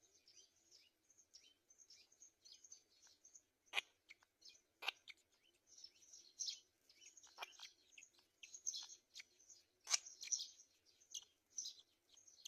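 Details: Black-winged kite feeding its chicks at the nest; continuous busy high-pitched chittering and squeaky calls, with several sharp clicking knocks scattered through.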